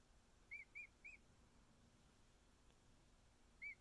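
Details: Week-old captive emu chick snuggling with keepers gives short high whistled peeps: three quick arched chirps in a row, silence, then one more single chirp.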